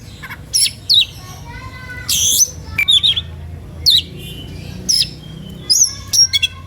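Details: Oriental magpie-robin in an agitated, showy song that provokes other birds to answer; spaced phrases of high sharp whistles and grating bursts, some notes doubled, over a low hum.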